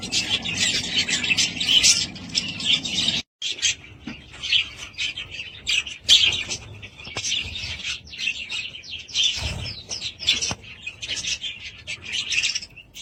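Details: Budgerigars kept at home chirp and warble in a long, busy chorus of short squeaky notes, with one brief gap and a soft thump partway through.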